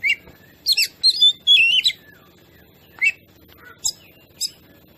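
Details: Oriental magpie-robin song used to provoke other birds: a fast run of varied whistled and chattering notes, then isolated sharp chips spaced about half a second apart.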